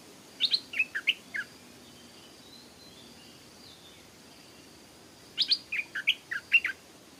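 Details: Stripe-throated Bulbul at a canal, where a caged young decoy bird is being trained and a wild bird came to fight; two short phrases of bright, warbling notes stepping up and down, separated by a long quiet pause.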